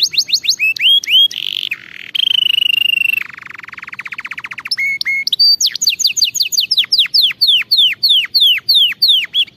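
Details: Canary song meant for training canaries: varied phrases with quick chips, a harsh buzzy stretch, a low fast rattle, then a series of repeated falling whistled notes.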